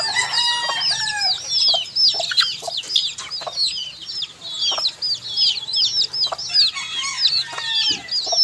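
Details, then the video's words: Many baby chickens peeping together in a dense, continuous chorus of high, sliding cheeps, with occasional soft clicks and knocks underneath. "HUNI NG SISIW, ACTUAL FOOTAGE CHICKS SOUND"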